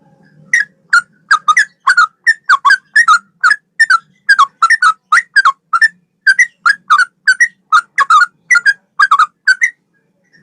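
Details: Yellow-vented bulbul male, training song in straw-headed bulbul style: a long run of brief liquid, warbling note groups, steady and rapid, each a few bubbly notes, with faint low noise early on.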